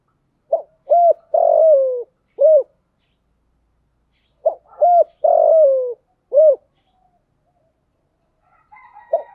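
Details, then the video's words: Spotted dove used as a decoy, cooing to lure wild doves: two phrases about four seconds apart, each two short hoarse coos, a longer falling coo, then a short closing coo. Faint scattered sounds near the end. "chim cu mồi gáy gọi, tiếng chim cu gáy kích bổi mới"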